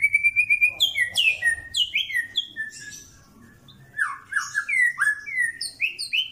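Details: White-rumped shama, Pastol strain, in mental training. It gives a rapid run of repeated whistled notes, then high sweeping slurs. After a short quiet gap, a rippling series of descending and rising whistles follows, loud and clean.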